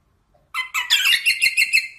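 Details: Brief rosella song: a dense burst of rich, warbling notes running together over about one and a half seconds.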